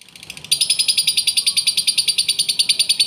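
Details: Lovebird sound meant to prompt another lovebird to answer: after a brief quiet start, a fast, even stream of high, sharp chirps at about three per second runs to the end.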